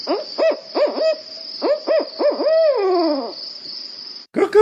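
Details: Barred Owl (Strix varia) giving rhythmic "who cooks for you" hoots ending in a drawn-out falling note, a territorial call telling other owls its boundaries, as owls use calls instead of physical fights; steady high whine underneath, a voice cuts in.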